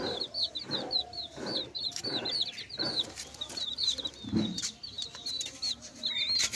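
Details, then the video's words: Chicks chirp in quieter, scattered high peeps against a background of soft thuds and rustling, with a brief low grunt-like sound near the middle. "Chicks Chirping"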